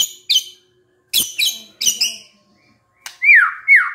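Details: White-rumped shama lure song to prompt a stressed shama into singing: sharp harsh high chacks in spaced pairs, a pause, then two clear whistled notes sweeping up and down.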